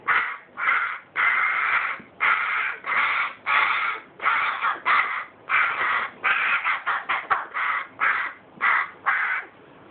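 Carrion crow nestling giving harsh, raspy caws, about twenty in ten seconds, some in quick bursts and others spaced slightly apart.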